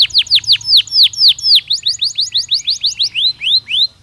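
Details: Natural canary song for preparing birds for the breeding season: a clear, loud series of swooping downward whistles, about two per second, slowing toward the end.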